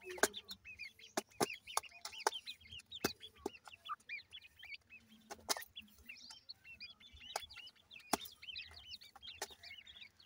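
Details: Feeding grey francolin chicks keep up steady, high-pitched cheeping, short curved notes tumbling over one another, punctuated by sudden loud clicks every second or so.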